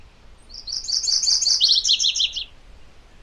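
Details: MacGillivray's warbler singing one phrase of about two seconds: a bright, rapid string of high chipping notes that runs into a slightly lower, quicker set of slurred notes, then stops. The background is quiet.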